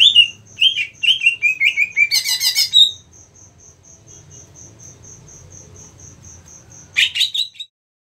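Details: 8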